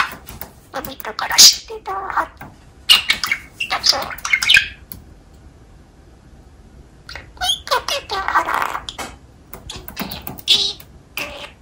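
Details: Pet budgerigar sings a "poo song" with words its owner made up, warbling in bursts of scratchy high chatter mixed with mimicked speech-like syllables.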